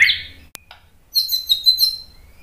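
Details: White-rumped shama, agitated to provoke other males into singing: a short rasping note, a sharp click, then a quick series of thin, high, ringing chirps.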